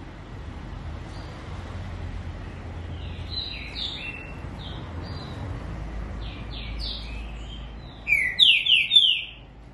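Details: Green-winged saltator giving soft, falling whistled phrases that build into a loud, ringing run of three or four descending whistles at the close, over a low, steady hum.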